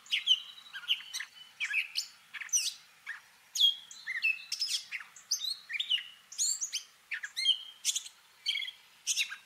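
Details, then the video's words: Gray catbird singing and mimicking other birds, stringing together many short, varied notes: high squeaks, downward whistles, harsh chacks and warbled bits in rapid succession, each phrase different from the last, in quiet surroundings. "Catbird sounds: mimicking & singing song"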